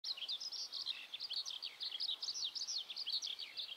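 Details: Eurasian skylark singing over a pasture where Japanese Black cattle graze, Hōki, Saihaku District, Tottori, Japan, 22 May 2021, cloudy and rainy at the start of the rainy season; an unbroken run of rapid, high warbling and chirping notes.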